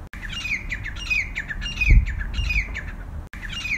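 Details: Grey francolin, the teetar, giving rapid runs of shrill, grating notes that slide downward, phrase after phrase, with short silent breaks where the sound is spliced and a low hum underneath.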